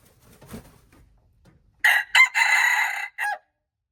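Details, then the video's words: Red junglefowl recorded on March 2, 2025, giving a loud, harsh crow in four bursts. Two short clipped notes lead into a long sustained note, then a brief final note, after faint low rustling. "red jungle fowl, qaib qus qaib dib txuam txoov"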